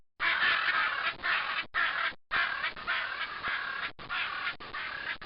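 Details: Macaw calling in the trees of the savannah: harsh, raspy squawks in long rough bursts, several running together with short gaps, loud and grating throughout.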